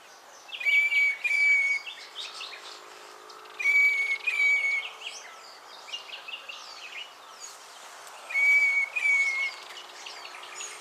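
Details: Northern Fiscal (Lanius humeralis) calling at Naro Moru River Lodge, Kenya, recorded with a RØDE VideoMic: three pairs of long, steady, high whistled notes, evenly pitched, spaced a few seconds apart, with faint chirps from other birds between them.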